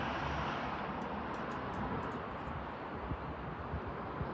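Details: Steady broadband rumble of vehicles or aircraft in an urban setting, with no animal calls or drumming standing out.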